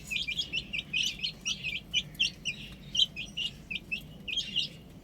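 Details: Baby chickens at play on a rooftop, a lively run of shrill peeps in quick groups with brief gaps, several chicks calling together.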